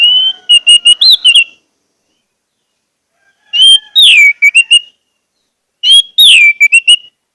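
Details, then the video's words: Orange-headed thrush song, played to encourage caged birds to sing: three similar phrases of clear whistles mixed with rapid buzzy clicks, each lasting about a second and repeated every two to three seconds. "pancingan anis merah agar anis merah macet cepat bunyi dan gacor"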